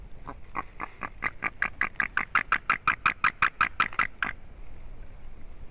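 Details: Durbe white-tailed eagle nest on 13 August, the eaglet's fourth day: a rhythmic series of about seventeen yelping notes, about three per second, building louder and then stopping abruptly, followed by quiet.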